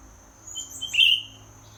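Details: Greater green leafbird during molt: soft high twittering builds into one strong, clear whistled note, then fades to a faint thin chirp, with a steady high hum throughout.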